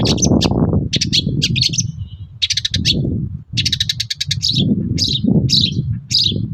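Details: Long-tailed shrike song used as a lure for other shrikes: rapid stuttering bursts of high, rattling chatter and short squeaky phrases, over a constant heavy low rumble.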